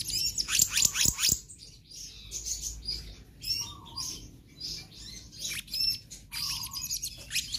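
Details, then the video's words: Oriental magpie-robin singing a full-variation konslet song: bright high chattering phrases and sharp clicking notes in bursts, with pauses between phrases and a faint low hum behind. "Kehicap Ranting Gacor Konslet Full Fariasi"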